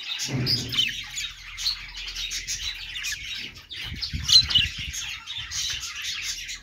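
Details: Happy pet budgies give a steady stream of high, rapid chirps and warbling twitters, with brief sharp squeaks and a few low knocks in the background.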